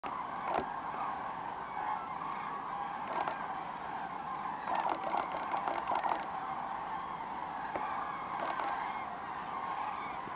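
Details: Some of 24,000 common cranes coming in to roost in the Kvismaren wetland, Sweden: a dense, continuous chorus of mid-pitched trumpeting from the large flock, with occasional louder bugles standing out.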